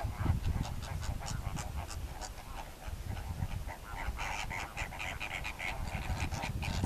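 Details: Greater flamingo flock giving rapid, clipped honking calls in quick bursts, many birds overlapping, over strong low rumbling noise like wind.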